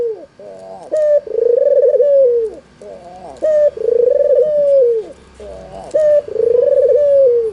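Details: Lure call from a red-eyed white albino Barbary dove meant to make idle doves answer: three regular coos, each a short bright upward note flowing into a long quavering purr that droops at the end.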